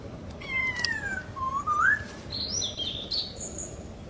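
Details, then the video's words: Masked laughingthrush in the wild: a falling whistle, then a rising slurred whistle, followed by a run of high, thin twittering notes. "Burung poksay Hongkong di Alam"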